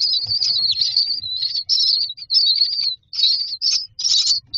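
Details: Myna young asking for food in their nest box: an almost continuous stream of shrill, wheezy, wavering chirps with only short pauses, over a faint low rumble.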